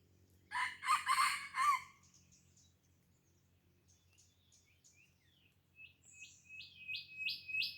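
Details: Red junglefowl crowing at Krueng Raya in Aceh: one loud, harsh, broken crow lasting just over a second, then a quiet pause before bursts of rapid, high, repeated chirps from other birds.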